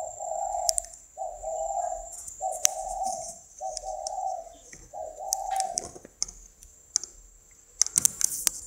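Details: Spotted dove cooing: five long, soft, hollow coos in a steady row about a second apart, then a pause with clicks and a constant high electrical whine.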